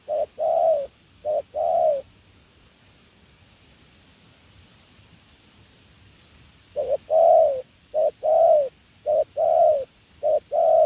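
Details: Spotted dove, a prized calling bird, cooing in paired notes, a brief coo then a longer falling one, a few pairs, a pause of several seconds, then a faster run of repeated coos.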